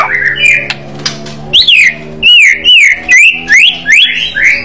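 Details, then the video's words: Loud song of a white-rumped shama in aggressive fighting style: clear, looping whistled phrases that sweep up and down, repeated roughly every half second after a softer opening, with a steady low hum beneath. "murai batu bergaya agresif burung fighter suara keras"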